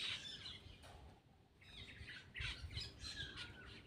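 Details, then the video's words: Black-winged myna singing while eating: harsh, scratchy squawks and chattering notes in bursts, with a short pause midway before a run of rapid rasping notes resumes. Low background hum throughout. "cucak Keling bar bar"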